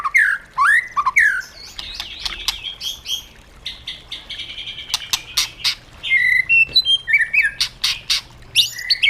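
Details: Forest-style song of a caged white-rumped shama, used for training: rich, ever-changing whistles, buzzy notes and sharp clicks in quick succession, with short pauses between phrases.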